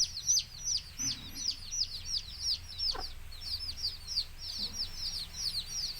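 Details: Baby chicks of domestic chicken with a mother hen calling her chicks to eat: loud, busy high-pitched peeps, each a quick downward slur, tumbling over one another, with one or two soft low clucks.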